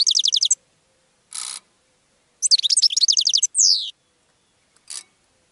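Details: Goldfinch song played to attract other birds, with rapid repeated high trills, a sweeping descending slur, and a jumbled twittering phrase, broken by short hissy noise bursts between phrases.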